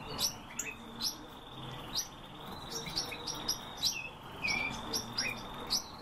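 European bee-eaters giving short, liquid, rolling chirps in a steady scatter, several birds overlapping, over a constant high-pitched hum, likely insects.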